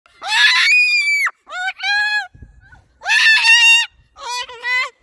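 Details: Pet Moluccan cockatoo chattering on a walk to the park as spring approaches: loud, harsh, harmonic squawking phrases in bursts of about a second, some wavering and some falling, with short silent gaps.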